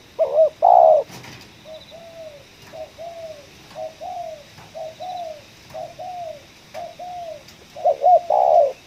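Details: Spotted dove with a 'ngeruk' style call at a coffee plantation: a loud hiccup-and-coo phrase, a click, a run of seven soft arched coos at steady spacing, then another loud phrase.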